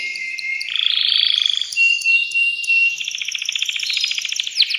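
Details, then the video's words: Male canary singing to prepare a female for mating: a thin whistle, sustained buzzy rolls at changing pitches, then a fast pulsed trill. "تغريد ذكر كناري هائج يريد تكسير القفص يحفز الأنثي لتزاوج"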